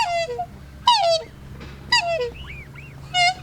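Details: A black swan, one of several non-native black swans swimming toward the recordist in the Forest of Dean, UK, gives four bugling, slightly falling honks, roughly one a second, with soft arched squeaks between them over a low hum.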